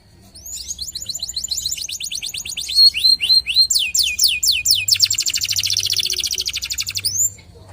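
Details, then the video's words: Local canary in full song, rising in loudness: quick rattling trills, clear swooping whistles, then a dense buzzing roll of rapid notes before a final upward sweep. "PANCINGAN KENARI LOKAL GACOR"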